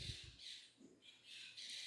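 Parakeets give harsh, scratchy squawks in short bursts, several overlapping across two seconds, with faint low thumps of a room.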